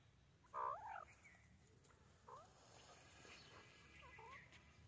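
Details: White teetar (white francolin) giving one loud, harsh, layered call about half a second long near the start, then fainter short hoarse notes at a distance over a steady background hiss.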